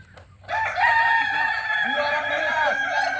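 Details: Crow of a genuine Kokok Balenggek chicken from Solok, West Sumatra: after half a second of quiet, a sustained, ringing, strongly harmonic call starts, with stacked wavering syllables underneath.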